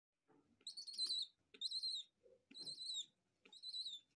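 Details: A baby white domestic pigeon, a young pouter, gives four thin, high squealing begging bursts, each about half a second long, about once a second, while being fed.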